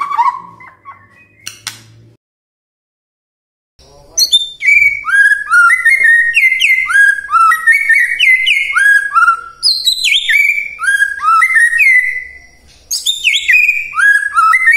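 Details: ['Morning provocation song of a white-rumped shama, used to make silent shamas sing back: after a short pause, a long, rich, fast-flowing stream of varied whistles, slurs and chirps pours out nearly without break.']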